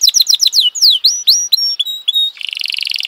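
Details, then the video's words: Canary, F1 type, singing a varied song of rapid high descending whistled notes, sweeping slurs and steady tones, ending in a fast buzzy trill. "suara kenari f1 keren dan mewah"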